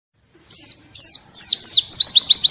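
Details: White-eye (pleci) song used as a training recording for songbirds, in a forest-like 'ngalas' style with strong 'shots': three high, falling whistled slurs, then a quick run of five short, sharp descending notes.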